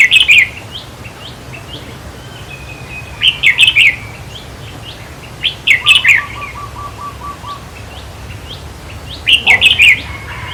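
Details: Red-whiskered bulbul singing for decoy trapping, played to rouse caged birds: quick chattering phrases of four or five liquid notes every two to three seconds, with soft single whistles between and a brief low even trill from another bird midway.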